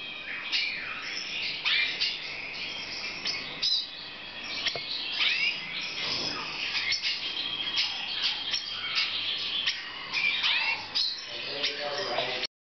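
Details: Black siskin during breeding in 2014, giving a long, busy stream of high twittering song mixed with sweeping slurred whistles and chattery notes, the dense chorus suggesting more than one bird, with faint low background hum.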